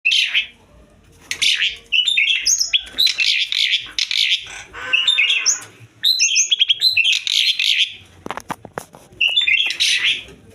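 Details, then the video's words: Asian pied starling in breeding condition, giving loud harsh chattering and whistled notes in rapid bursts, mixed with squawky rasping phrases and a few sharp clicks near the end. "birahi burung jalak suren"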